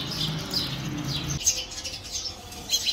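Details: House sparrows building a nest inside a house and fighting over it: bright, sharp chirps come in quick bursts, with a low rumbling background early on.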